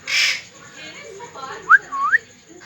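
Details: Pet parrot: a brief noisy vocal burst, then quiet chatter, then two clear whistled upward-sweeping notes close together, the second longer and curving upward.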